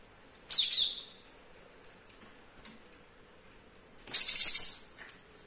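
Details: Young caged male Java sparrow, kept about two weeks, singing diligently in a kitchen despite an injured foot with a lost claw: two short, bright, high chattering bursts about three and a half seconds apart, with a faint steady hum between.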